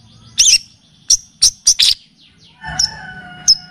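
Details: Long-tailed shrike (cendet, pentet) on a song-training and lure track that also features kapas tembak and cililin; five or six short piercing chirps, then soft whistled tones from other birds behind two further high notes.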